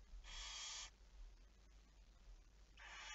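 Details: Barn owl at night on 11 May 2019, 23:34: one rasping, noisy hiss lasting over half a second, then quiet, then a second hiss beginning at the very end, with a low hum underneath.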